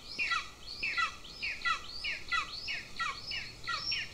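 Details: Two Golden eagle chicks at their nest in Lahemaa, Estonia, 25 June 2024, at breakfast, beg with thin, high, downward-slurred squeals, about two a second in a steady run, with faint background hiss.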